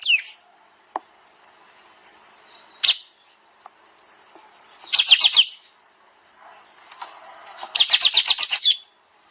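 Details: Kapas tembak bulbul used as a training master: scattered sharp chips and thin whistles build into two dense, rapid trills of high notes.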